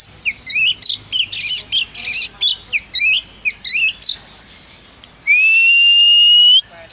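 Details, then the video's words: Oriental magpie-robin, an energetic singer, repeating short rising whistled notes mixed with scratchy bursts, quickly and unevenly, then after a pause one sustained, clear, slightly rising whistle lasting over a second. "suara burung kacer si gacor ini"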